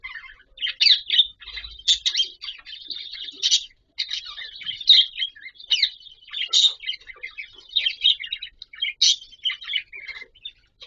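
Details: Budgerigars sing in the morning, warbling in a steady stream of chirps, squeaks and scratchy chatter.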